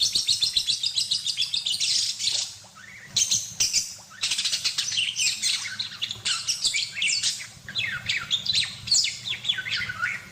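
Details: Budgerigar in full song, used as tutor audio for songbirds: near-continuous high chatter of scratchy buzzes, fast trills and slurred whistles, broken by two short pauses, busy and rhythmic throughout.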